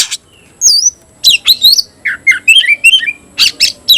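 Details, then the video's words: Caged oriental magpie-robin giving 'tayoraky'-variant song. Emphatic squawky notes and downward-slurred whistles come one by one, with a run of warbled phrases in the middle. "kacer rasa tayoraky varian baru‼️bikin suara kicau burung Kacer gacor dan ngotot buka ekor"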